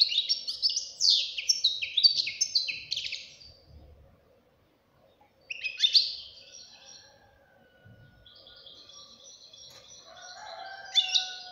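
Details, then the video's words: Song of a young European goldfinch: a fast run of chattering, tinkling notes, then a quieter buzzy phrase and a trilling flourish at the end, with a soft background hum. "غناء فرخ طائر الحسون"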